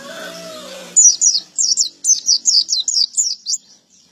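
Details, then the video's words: After a rooster's crow fades, a gacor male pleci white-eye launches into a quick series of shrill slurred chirps, about ten in two and a half seconds, then falls silent. "Burung pleci gacor jantan"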